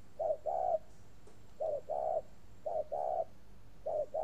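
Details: Spotted dove in a long cooing series at a bird garden near Hanoi, Vietnam: deep hollow coos in pairs, short then long, repeating at a slightly uneven pace against quiet background hiss.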